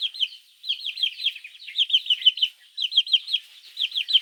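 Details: Baby chicks crying for their mother hen in the morning, intended to attract mongooses: loud, downward-slurred peeps delivered in uneven runs of four to six, separated by gaps of about half a second.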